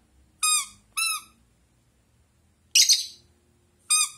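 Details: Indoor pet Rosy-faced lovebird answering a toy duck: two quick shrill squeaks bending downward, a pause, then a raspy harsh squawk and one more bright squeak, all high-pitched over a near-silent room.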